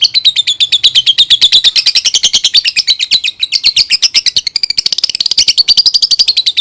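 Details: Lovebird song used as a lure to prompt young birds to sing: a fast, continuous chatter of high, scratchy chirps, about three notes per second, with a slight lift in pitch midway and no other sounds.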